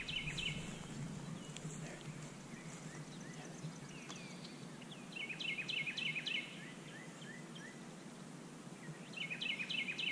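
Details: Red-winged blackbird singing by a pond on 10 April 2017: bright buzzy trills repeated every few seconds, with softer downslurred whistles between them over a steady low background rumble.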